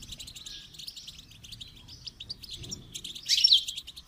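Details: Goldfinch singing as training material: quick, high, liquid chirps in an unbroken twitter, rising to a loud cluster of sharp notes toward the end.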